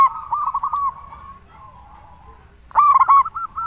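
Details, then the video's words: Local zebra dove, singing actively in a loud voice, used as a lure to make other zebra doves answer; a loud stuttering burst of cooing notes opens, softer rolling coos follow, then a second loud burst near the end. "Perkutut Lokal Gacor SUARA BESAR Ahlinya Bikin Semua Burung Perkutut Langsung Nyaut"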